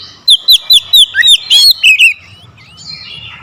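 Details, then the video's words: Aggressive song of an oriental magpie-robin goaded to face a rival: a quick series of eight loud, ringing whistled notes, mostly falling slurs, delivered in under two seconds and followed by quieter, fading warbles. "KICAUAN KACER POWER KERAS | MEMANCING EMOSI KACER LAWAN LANGSUNG NGOTOT BONGKAR ISIAN"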